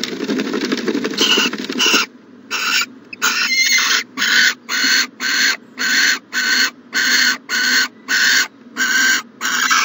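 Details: Owl at a nest box on the morning of January 14, 2020: a rustling, noisy start, then a fast, regular train of about thirteen short, harsh hissing bursts.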